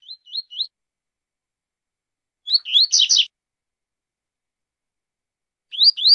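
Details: Tui-tui zel-zel song of a double-collared seedeater: three quick rising whistled notes, then a phrase of upslurs ending in buzzy chirps, followed by two more rising whistles after a pause.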